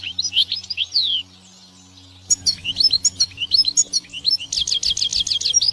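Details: European goldfinch singing in natural surroundings: fast tinkling phrases of high twittering notes, sweeping slurs and buzzy trills, pausing briefly mid-phrase before resuming with rapid repeated chirps; faint low hum underneath.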